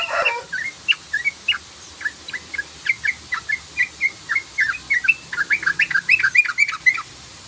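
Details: Sooty-headed bulbul used as a lure call, giving a long run of short, bright chirps and quick slurred notes, roughly three to four per second, growing denser toward the end.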